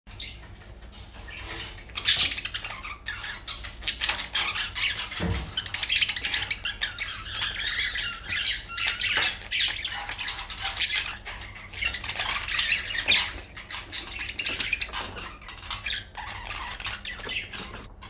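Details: An English budgerigar chatters in a steady stream of scratchy, warbling squawks and chirps.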